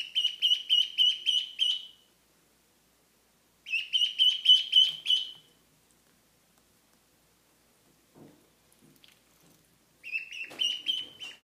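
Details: A new mallard duckling, kept with a Pekin duckling and crying constantly, gives shrill, rapid peeps, about four per second, in three bursts of a couple of seconds each, with faint soft taps in between.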